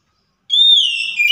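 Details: Oriental magpie-robin song used as a lure to make a silent bird reply: one loud, pure, sustained whistle that swells, slides slightly downward, then jumps back up after a brief break.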